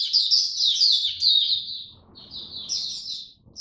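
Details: Oriental white-eye (mata puteh) in captivity, hobby bird, 8 October 2022: a loud, fast stream of high chirping and warbled notes for over a second, a pause, then another bright burst of rapid twitters.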